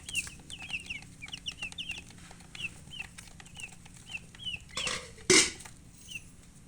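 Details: Colored chickens (murgi, hen) chirping: quick runs of high, slurred peeps at first, then single peeps spaced about half a second apart, broken by two loud clattering bursts near the end.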